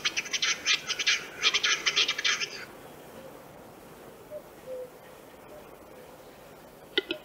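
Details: Western Capercaillie from Central Russia: a run of dry, scraping, rasping bursts packed closely together for over two seconds, then near silence with faint low notes, ending in a single sharp click.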